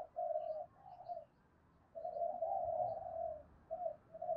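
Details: Spotted dove cooing to provoke rivals into fighting, heard at a distance over a steady background hiss: soft, low, sustained hoots in uneven runs, one long drawn note and a few short ones.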